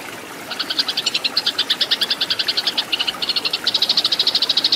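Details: Eurasian tree sparrow fighting song used as a tutor recording: a fast, steady run of bright, high chirps, several per second, with brief breaks, over a faint background hiss.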